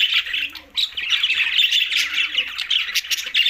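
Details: A feeding group of green budgerigars from Larkana, Sindh, chattering intensely, with harsh squawks and bright chirps packed closely together after a brief dip just before the first second.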